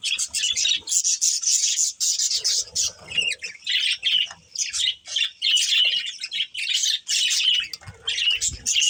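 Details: Pet budgerigar breeding pair giving bursts of harsh, squawky chirps and scratchy chatter, separated by brief pauses, with occasional low knocks in the background.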